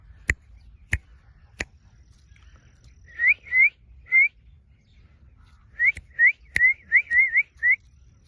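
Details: Indian ringneck parakeet, a pet, giving a series of short rising whistled notes, some with a quick upward hook, in two bursts, with a few sharp clicks at the start.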